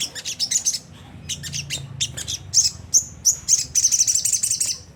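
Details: Coarse ngriwik song of a Sunda whistling thrush, used to provoke caged birds: bursts of high chips and short whistles building to a long buzzy trill at the end.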